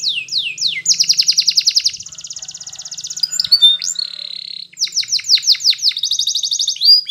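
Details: Yellow Spanish Timbrado canary in full song used for training, giving fast descending whistled notes, rapid metallic rattling trills and a steady buzzy tone, with a faint low hum underneath.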